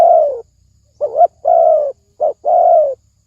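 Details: Spotted dove lure coos in the thổ sấm đồng style to draw males and females; a long falling coo, a pause, then a wavering short note and long coo, repeated once more, in clean quiet.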